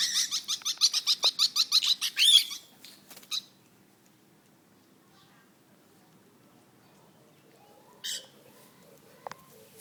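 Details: A territorial lovebird, one that dislikes other birds, gives a fast burst of about a dozen harsh, high screeches over two seconds, then falls quiet apart from a brief squawk and a click.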